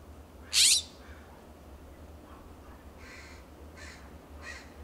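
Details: California scrub-jays calling back and forth in a backyard in Pacific Grove, California. One perched on a wooden fence answers a distant jay. A single loud, harsh, rasping call comes early, then three fainter raspy calls follow about a second apart over a low steady hum.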